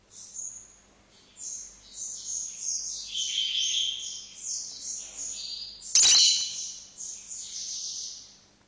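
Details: A tame, excited lovebird chatters in a continuous stream of shrill, high squeaky chirps and chirrups, stepping up and down in pitch, broken by one sharp click or knock midway.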